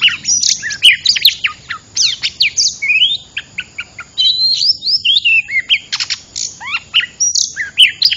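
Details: Trapping lure call of an oriental magpie-robin. Loud, rapid phrases of sharp high chips and rising and falling whistled slurs, about 150 notes a minute at an uneven pace, with brief gaps between bursts.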